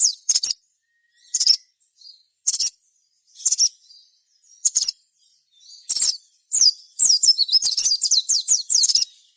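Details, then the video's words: Sogon song played as a lure to provoke other sogon into singing: sharp high chirps repeated about once a second, then a fast rising and falling twittering run near the end. "suara sogon gacor ini"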